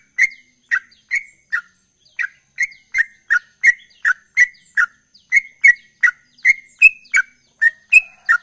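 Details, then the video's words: A Yellow-vented Bulbul sings its rapid, chattering 'ropel' song: an unbroken series of short bubbly chirps, two or three each second, with crisp clicking edges. Nothing else is heard. "Trucukan Gacor Ropel"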